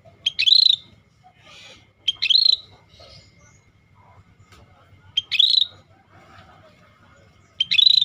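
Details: Scaly-breasted bulbul, called rare and in full voice: four bright, high phrases at intervals of about two to three seconds, each a sharp note followed by a fast-pulsed buzzy whistle, against near silence.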